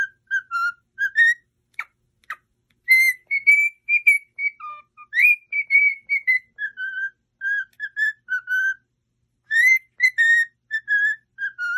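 A cockatiel whistles a tune of clear, bright notes, some held and some quick, rising and falling in short phrases with brief pauses between.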